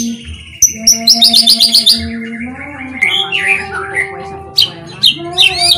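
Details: White-rumped shama lure song for drawing song from other shamas: a fast string of sharp high ticking notes, then looping warbled whistles and scattered clicks. A steady low drone underlies it.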